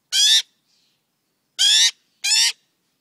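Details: Very loud rasping cries from a tame young magpie fledgling demanding attention from people: three harsh, broad squawks, the last two close together.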